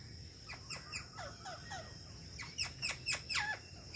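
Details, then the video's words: A ringneck parrot gives a run of sharp, downward-sweeping screeches, about two a second, over a steady high whine and low background rumble. "Ringneck Talking Parrot Natural Sounds/Voice"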